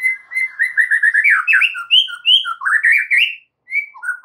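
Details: Oriental magpie-robin (murai batu) master track to train caged birds: a continuous rapid warble of rising and falling whistled notes, quickening and climbing in pitch, then a brief pause and soft descending notes.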